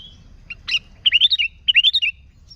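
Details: Singing sooty-headed bulbul used as a lure for bulbuls, giving a sharp chip then two rolling phrases of liquid, rising and falling warbled notes.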